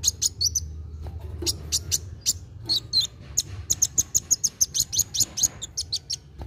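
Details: Sunbird known as kolibri wulung singing actively, to stimulate young birds: irregular high, sharp chips early, building to a brisk, steady series of piercing notes roughly every few tenths of a second.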